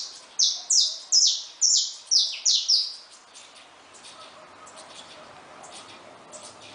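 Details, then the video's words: Saffron finches feeding freely at a feeder produce seven evenly spaced, buzzy, falling notes over about three seconds. A quiet spell follows with faint background chirps. "Canarinhos da Terra Livres e Soltos no Comedouro"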